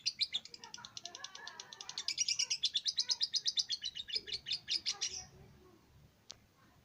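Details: Captive lovebird in rapid chattering song: a fast series of high, buzzy, clipped notes, roughly three per second, rising in intensity and then stopping abruptly, with faint background voices and lower chirps.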